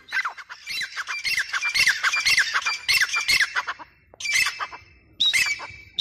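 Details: Harsh, squawking grey francolin notes tumbling together in an irregular burst, then two separate louder calls after short pauses, in an open outdoor setting.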